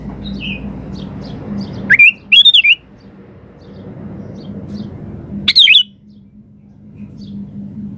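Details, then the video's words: Sooty-headed bulbul in vigorous, chatty song used to lure other birds into answering: two loud, short burbling whistled phrases two seconds apart, rising and falling sharply, with faint distant chirps and a steady low hum between them. "SUARA BURUNG KUTILANG GACOR"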